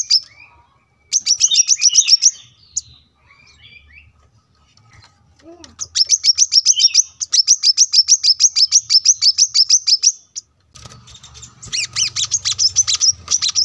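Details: Brown-throated Sunbird singing steadily at a roadside home, recorded to tutor cage birds: repeated bursts of fast, high, chirping trills, each lasting one to four seconds, separated by short pauses with faint low notes.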